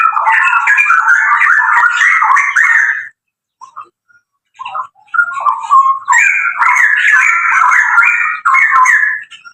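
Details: A pair of straw-headed bulbuls kept by a breeder: rich, loud, bubbling warbled phrases in long runs, a brief pause with a few soft notes, then the liquid rolling song resumes.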